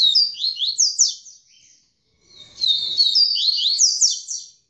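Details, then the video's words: Double-collared seedeater of the "tamborete" song type, just after pairing with a female, sings rapid, high twittering phrases of sweeping slurred notes in two bursts with a brief pause between them. "COLEIRO TAMBORETE APÓS ACERTAR A FÊMEA"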